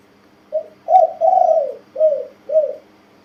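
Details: Tame male spotted dove about one year old cooing a five-part phrase: a brief low note, an emphatic note, a long quavering coo, and two short mellow closing notes, all low and hollow.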